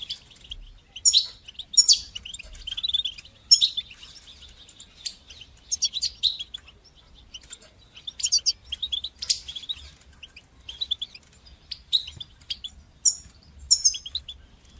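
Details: Batbata and satsata goldfinch song for teaching young goldfinches: scattered sharp chirps and short twittering bursts spread over a long stretch, with thin high trills toward the end.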